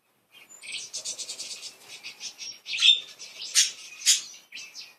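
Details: Happy playful pet budgerigars. A rapid, rattling, buzzy warble runs for two seconds, then louder scratchy chirps break through, ending with a short squeak.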